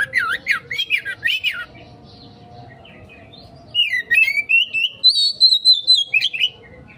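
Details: Oriental magpie-robin, a lure recording meant to provoke a quick response from other birds, singing in two bursts: first a rapid run of looping, warbled notes, then after a pause a string of rising whistled phrases, steady low hum beneath.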